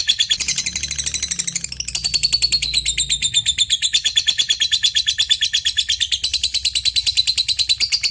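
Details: Lovebird giving a long chattering trill, the ngekek style: a fast, steady stream of high, buzzy notes that starts harsher and settles into an even rattle for about eight seconds. The call is used for calling an opponent.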